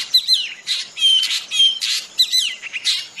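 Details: Drongo 'ngeroll' singing, a rolling continuous style, as a loud, harsh, buzzy chatter mixing noisy bursts with thin whistled notes and downward slurs, packed closely over a few seconds.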